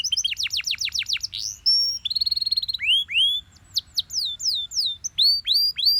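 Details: Morning song of a Belgian canary, varied and bright: rapid descending sweeps, a brief flat whistle, quick pulsed trills, then upward-curving notes repeated in short bursts with a silent pause between phrases.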